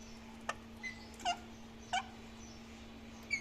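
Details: Parrots eating melon seeds, giving short, sharp chirps, about five scattered across a few seconds, some bright and rising, with a steady low electrical hum underneath.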